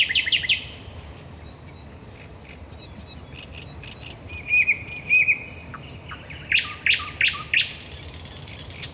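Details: Night-time song of a common nightingale at the Raszyn Ponds, 10 May 2021: a burst of loud notes, a quiet pause, high piping and a short whistled run, then a string of evenly spaced sharp strokes.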